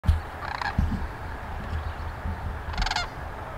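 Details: Sandhill cranes at a prairie homestead in Grantsburg, Wisconsin: two brief rolling, rattling crane calls, one early and one near the end, over a steady low rumble of wind or traffic.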